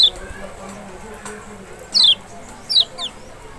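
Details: Kecial, lemon-bellied white-eye of Lombok or Sumbawa (Zosterops chloris maxi), used to coax a response from an unwilling singer: three high, sharply falling whistles, the last two close together, over a faint low hum.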